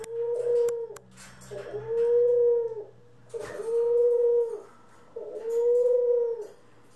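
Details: Pet dove (ringneck, Senegal or hybrid), 25 April 2021: four low, drawn-out hooting coos, each about a second long and spaced roughly every one and a half seconds, with a faint hum underneath.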